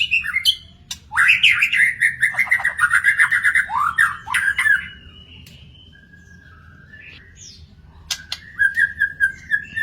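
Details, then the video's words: Magpie-robin singing in the wild: a fast, buzzy rattling trill sliding downward, a quieter gap, then a few whistled notes and another short trill. "burung murai di alam liar"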